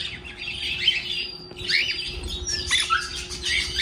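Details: Pet birds at home singing cheerfully after waking in the morning, a lively mix of twittering chirps and short whistled notes overlapping in quick bursts over a faint steady hum.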